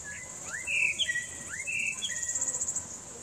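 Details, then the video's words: Songbird singing in nature, recorded with Sony A6000 and Nikon P900: clear upslurred whistles and warbled notes in two short bursts, backed by a continuous high cricket-like drone and faint low rumble. "Singing bird"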